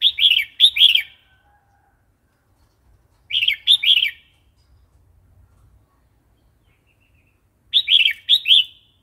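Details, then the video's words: Red-whiskered bulbul singing in the wild song style (phleng pa), played to stir newly caught or wild-caught birds and to teach young birds: three bright, warbled phrases of about three quick notes each, separated by pauses of several seconds, over a quiet background. "เสียงนกกรงหัวจุก เพลงป่า"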